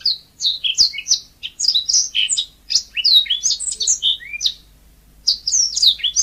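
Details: Yellow-fronted canary in full, natural song: rapid varied phrases of bright whistles, slurred notes and sweet trills, high-pitched and nearly continuous, with one short pause before the jumble resumes.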